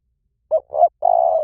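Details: One Liu Tan style phrase from a spotted dove, used to train other doves to answer. Two brief low coos come first, then a sustained, gently sloping coo. Nothing else is heard.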